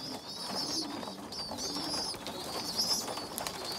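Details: Pigeon youngsters while a small, underdeveloped young female feeds bigger ones; thin, high, wheezy squeals repeat about every second and a quarter over a faint low murmur.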